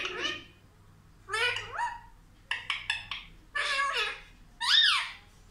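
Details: Indian ringneck parakeet that talks, trained to say mummy and papa, uttering a run of speech-like squawked phrases with rising and falling tones, short clipped clicks in the middle, and a final upswept squeal.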